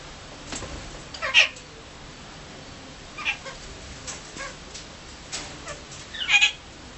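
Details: A cockatiel being petted gives a few short, scratchy chirps spaced a couple of seconds apart, with a louder harsh burst near the end; otherwise quiet.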